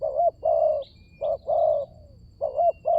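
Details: Spotted dove cooing as a lure for other doves. A quick wavering note, then a long, even coo that trails off softly, then the pattern starts again. Faint high bird twitters behind.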